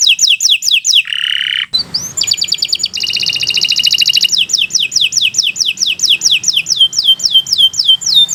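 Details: Canary (Kenari Nusantara 173), a song bird presented as a long, lively singing master recording for tutoring other birds; rapid series of high downslurred whistles, a brief buzzy note, then dense fast trills and more repeated sweeping notes.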